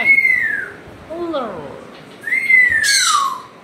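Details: Pet African grey parrot at home producing two long, clear whistles that rise slightly then slide downward, with softer falling tonal notes between them and a brief raspy burst near the end.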